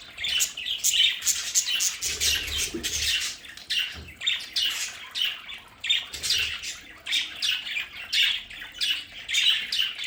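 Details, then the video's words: Several budgies kept at home in an indoor play area keep up a busy high-pitched chatter of raspy squawks and short chirps, with occasional low knocking sounds. "Sonidos de budgies para Budgies en casa"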